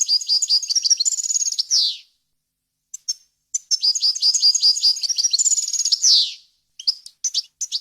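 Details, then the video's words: Goldfinch song recorded cleanly for tutoring young birds and hybrids, in a varied wild style: two long bursts of fast liquid twitters and trills, each ending in a harsh downward buzz, separated by brief chirps and silence. "غناء طائر الحسون ، صوت صافي وخالي من الاخطاء لتسميع الفراخ"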